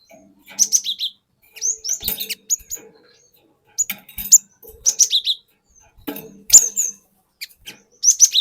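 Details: Wild-stock cinereous tit singing to lure and provoke rivals: short, bright two-part whistles with quick downslurs, repeated in clusters about every second, with some faint low clatter between phrases.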